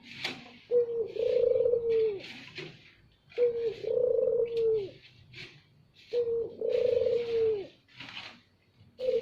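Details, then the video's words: Barbary dove, loud luring coo meant to attract other doves: repeated two-part phrases, a short clipped note then a long vibrating coo, about every three seconds, with light chirping of other birds in the background. "Pancingan burung puter || Suara lantang"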